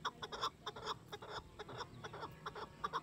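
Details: Chukar partridge (chakor) male beside its female giving a territorial call: series of short, rapid, repeated chuk-chuk notes, evenly spaced pulses about every quarter second, with steady low background hum.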